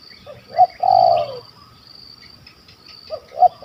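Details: Spotted dove in Malaysia, a stuttering bird with a big voice and a kuk 1 2 call, targeted in a hunt: a short coo, then a longer falling coo, then the start of another phrase, with faint high hiss.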